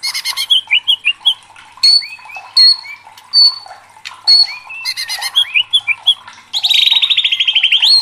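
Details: Excited white-rumped shama kept for song contests, giving spaced whistled upslurs and short buzzy bursts, then finishing with a loud dense rattling trill.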